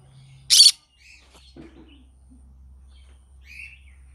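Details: Green-cheeked conure in the morning giving a single short, harsh screech, followed by faint soft chirps and murmurs in an otherwise quiet room.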